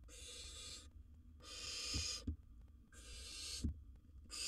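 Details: Barn owl, wild, inside a monitored nest box while swallowing big prey; fairly quiet recording of three to four long breathy screeching hisses evenly spaced, a few soft knocks between them.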